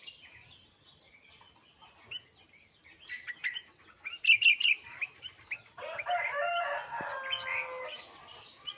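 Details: Sooty-headed bulbul parent feeding young: quiet start, then a cluster of rapid, piercing chirps, followed by a man speaking over fainter twitters.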